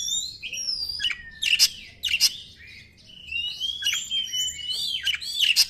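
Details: White-rumped shama singing as a lure for other birds: clear sliding whistles alternating with loud, explosive buzzy bursts in quick succession, with a faint low hum.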